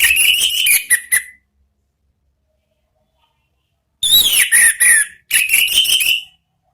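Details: Orange-headed thrush in ngeplong song, a lure for singing birds: a quick chattering run of sharp whistled notes, a pause of nearly three seconds, then two more fast jumbled phrases with bright falling whistles.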